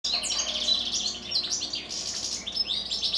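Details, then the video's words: Goldfinches kept as pets singing in the evening: rapid bright twittering with tinkling trills and quick chirps, high and continuous, several phrases running together without pause. "Evening goldfinches song."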